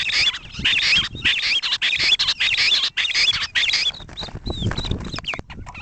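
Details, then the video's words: Grey francolin recorded in 2010: loud, high arched whistled notes repeated about once a second, with sharp clicking and crackling noise throughout and quieter separate notes near the end. "Lavuka Sound"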